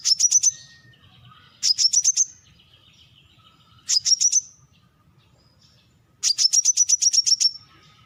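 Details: Brown-throated sunbird giving bursts of high, sharp chirps, each burst a rapid run of about four to eleven notes, repeated every two seconds or so, with faint lower buzzy notes and soft low rumble between bursts.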